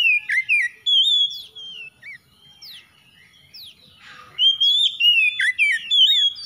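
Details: Oriental magpie-robin (kacer) pours out fast varied song, twisting whistles, quick downward sweeps and chirps, briefly softer with a scratchy burst, then loud warbled phrases again; used as therapy for a silent, stressed bird.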